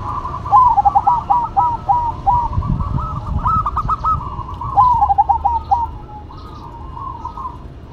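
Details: Duet of two zebra doves, one local and one cemani, with overlapping runs of quick, stuttering coos that trill and step in pitch, nearly continuous for five seconds before fading, low rumbling noise beneath.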